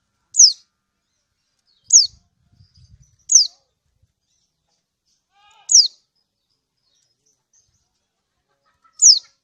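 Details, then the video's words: Female kecial kuning (lemon-bellied white-eye) of Lombok calling to a male, a lure to make others sing: five piercing, down-slurred 'ciak' chirps at irregular gaps, with soft low knocks between them. "Ciak burung Kecial Kunin Lombok ini Efektif Untuk yang Lain Supaya Bunyi"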